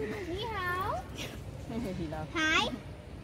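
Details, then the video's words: Pet white cockatoo talking: two short drawn-out harmonic phrases with rising and falling inflection, like a spoken greeting, over faint background music. "White cockatoos cute talking"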